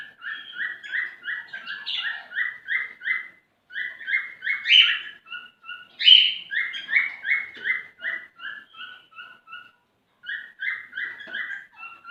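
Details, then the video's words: Male cockatiel whistling to a female in courtship, rapid repeated clear notes in long runs with a few loud squeaky accents and brief gaps. "تغريد فحل عصافير الكوكتيل لتحفيز الانثى ع التزاوج"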